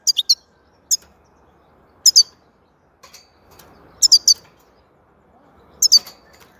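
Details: European goldfinch producing thin, high chirps in trios and pairs, sometimes single, separated by gaps of one to two seconds, with soft low rustling between phrases.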